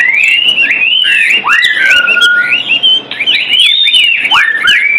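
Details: White-rumped shama, a kept bird, sings loud varied whistled phrases: upslurs and downslurs, a long level whistle, then a run of quick rising notes.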